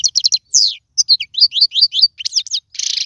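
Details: European goldfinch singing, a tutor song for young birds: a rapid run of twittered notes and downward-sliding chirps that ends in a harsh, buzzy burst.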